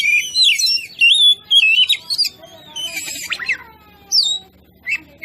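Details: Oriental magpie-robin song used as a training lure to provoke other birds: loud varied whistled phrases, rising and falling, some buzzy notes, in bursts with short pauses.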